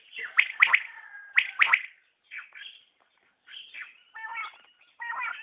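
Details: {'caption': 'Common quail, batair: two clear triple-note calls, followed by softer, lower nasal notes and rough grating phrases.'}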